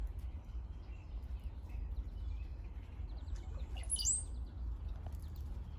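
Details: Brown-headed cowbird giving faint squeaky notes, then a thin, high, sliding whistle like a cartoon water drop near the end, over a steady low rumble of wind.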